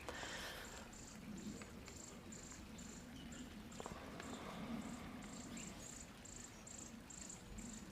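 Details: A nearby adult Chipping Sparrow in a backyard, with young chipping sparrows around, gives a dry, very high, insect-like trill in short repeated bursts, a little like a grasshopper, over a steady low rumble.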